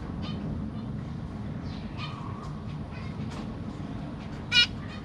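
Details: Caged zebra finches of the black cheek variety, with three juveniles and three newly hatched young, recorded 25 June 2023 while parents feed the babies. Several harmonic nasal calls, one loud call near the end, over steady low hum.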